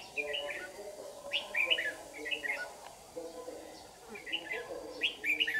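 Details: Red-whiskered bulbul lure bird singing competitively at dawn during trapping in Đồng Nai, 26 June 2019; short bright warbled phrases come in bursts roughly every second, over steady low human talk.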